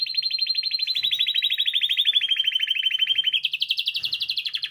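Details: Spanish timbrado canary, recorded for song learning, delivering a sustained rapid pulsed trill that drifts lower, then jumps to a higher, slightly slower rolling section.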